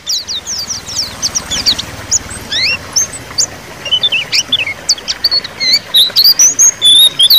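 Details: White-eye (pleci) lure song to prompt silent white-eyes to sing: a rapid, high twittering of short, thin, rising and falling notes, about two per second, in a quiet outdoor setting.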